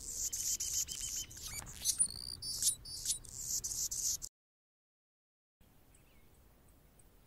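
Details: Anna's hummingbird perched on a branch, singing a squeaky, scratchy jumble of high buzzes, thin whistles and clicks for about four seconds. The song breaks into abrupt silence, then only faint ticks and background hiss follow.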